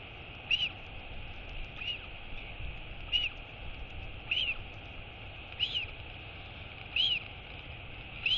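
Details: Wheeing Royal albatross chick greeting its mother at a feeding, 23 August 2022: short arched whistles, slightly rising then falling, repeated about every 1.3 seconds, growing a little louder, against a background hiss.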